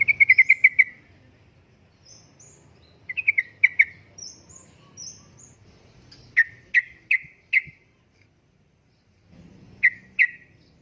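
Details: Yellow-vented bulbul (trucukan) uplik-uplik song meant to lure and tutor caged birds: a fast rattle of bright notes, then spaced groups of three or four loud chirps with thin high squeaks between, over a soft low hum.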